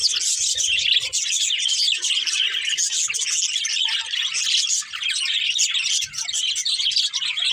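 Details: Budgerigars kept as pets chatter without pause, a steady stream of fast, high, raspy twitters and squeaky whistles blending into one busy warble.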